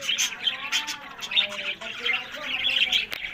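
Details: Caged budgerigars from a breeding flock in Larkana, Sindh, mixing sharp high chirps with lower gurgling, warbled phrases that bend up and down, ending in a brief click.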